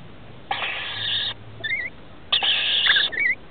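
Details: Rainbow lorikeet young, 21 and 17 days old, nesting in a roof, 23 October 2013, with parents arriving to feed: two drawn-out raspy screeches, each followed by quick squeaky twisting whistles.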